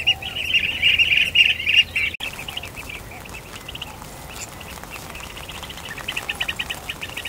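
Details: Blue-tailed bee-eaters in Kinmen in the breeding season, some birds disturbing pairs that are mating. A loud burst of overlapping rolling chirps fades after two seconds into softer, scattered trilled calls that build again near the end.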